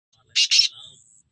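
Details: Kept black francolin (kala teetar) from Pakistan giving two loud, harsh, grating notes in quick succession, followed by a short fading buzzy tail and then a man speaking.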